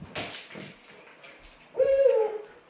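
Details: Pet owl hooting "ho-ho" indoors: after soft rustling and a person's murmured voice, one loud, low, hollow hoot with rich overtones, held level for about half a second before fading.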